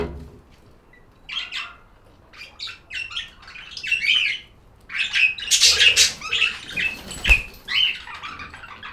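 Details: Pet budgerigar chatter: rapid scratchy chirps and squawks in quick irregular bursts, growing louder and denser after the midpoint, with a brief thump.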